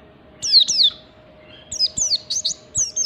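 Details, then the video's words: Oriental white-eye singing a standard ngalas-style song, used to provoke other white-eyes into singing: two sharp, high descending chirps, then after a pause a quick series of five similar falling notes, with a steady low hum behind. "Pleci Ngalas Standar Memancing Pleci Bunyi"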